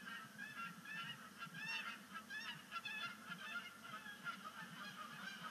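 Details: Flock of Canada geese at Sapsucker Woods Pond during the first sunset splashdown of the season, early migration, 10 5 2019: dense overlapping nasal honks, loud and continuous, with many birds calling at once over low background hum.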